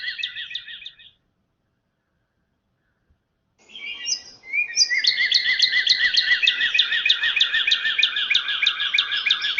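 Northern Cardinal song: rapid, bright repeated slurred notes, about three per second, in a brief opening burst and then a longer steady run after a pause.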